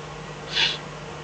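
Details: Eurasian eagle-owl in the Eifel at night, 24 May 2014, fox brought as food; a single short, rasping hiss lasting a fraction of a second over faint steady hum.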